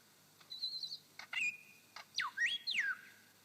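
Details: A male superb lyrebird singing on his dancing mound in Sherbrooke Forest Park, Victoria, mimics a grey thrush: a held high whistle, a few sharp clicks, then rich whistles sliding steeply downward, over a quiet background.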